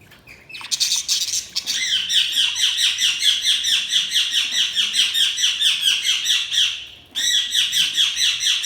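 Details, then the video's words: Budgerigars chirping in a dense, continuous chatter of fast, high twittering notes that overlap without pause, with a brief lull near the seventh second before the warbling chorus resumes. "Budgies Chirping sound"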